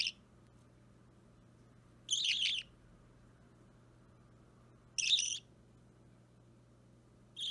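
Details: Three-week-old budgerigar chick, opaline or plain green, restless during daily hand-feeding, filmed 30 March 2017; short scratchy, harsh high bursts roughly every three seconds, separated by near silence and a quiet electrical hum.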